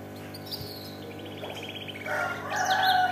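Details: Domestic canary tutored with black-throated canary song: a soft rattling trill leads into louder, clear whistled notes and buzzy phrases over a steady low electrical hum.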